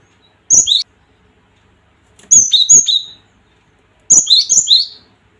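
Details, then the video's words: Cinereous tit calling to provoke and excite other tits. Three phrases, each with clicks and whistled notes dropping from high to low, growing from one pair to three pairs. "Suara Gelatik ini bikin emosi gelatik batu Mental Petaraung"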